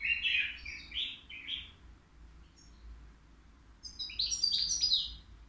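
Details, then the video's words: Three-year-old caged European goldfinch, praised for singing without mistakes, at the Al Qriaa bird market. Rapid twittering notes run for about two seconds, a short pause follows, then a brighter, denser burst of high chirps. "الموقنين بدون أخطاء"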